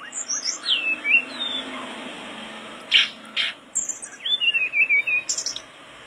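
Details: Mangrove blue flycatcher (tledekan bakau) singing energetically, used to tutor caged flycatchers: looping, slurred whistles with rising and falling inflections, separated by a few sharp clicks, in a quiet setting with faint background hiss.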